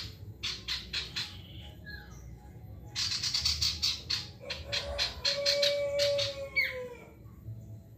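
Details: Male ashy tailorbird in loud, energetic full song, used to prompt other birds to sing: bursts of rapid, sharp high notes repeated in quick series, with a steady lower whistled tone beneath and a brief rising squeak near the end.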